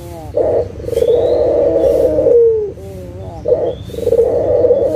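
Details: Lure call from a lively local turtle dove: a quick coo, then a long humming coo that dips and slides down, a pause, and the pattern starts again.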